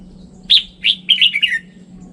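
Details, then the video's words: A Red-whiskered bulbul delivers one quick phrase: a sharp bright note, a second slurred note, then a rapid descending run of warbled notes, over a low hum. "Tiếng chim chào mào chuẩn"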